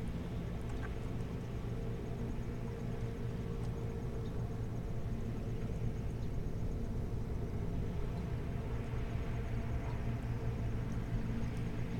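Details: A steady low rumble like a distant engine or motor continues throughout, with no animal calls.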